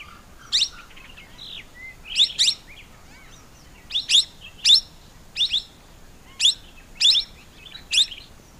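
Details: Plum-headed parakeet calling with loud, high, squeaky downslurred notes, single or doubled, spaced irregularly over several seconds, with quieter chirps early on.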